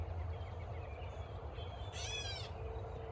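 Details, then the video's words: A catbird squawking at a person gives one harsh, raspy half-second squawk over a steady low rumble, with faint thin whistles from other birds before it. "Catbird Squawking"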